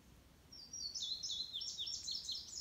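An Indigo Bunting sings a quick run of high, sweeping notes, several doubled, lasting about two seconds over a faint, quiet background hiss.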